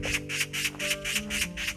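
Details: Eurasian magpie near the Cheonryongsa temple site on Namsan, Gyeongju, following a walker and sounding fierce, possibly having laid eggs and preparing to attack; harsh rasping chatter bursts repeated about four times a second over steady background music.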